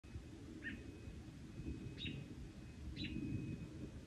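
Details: An American robin, alarmed by a cat approaching, gives three sharp, high "tut" and "peak" alarm notes about a second apart, over a steady low rumble of wind or distant traffic.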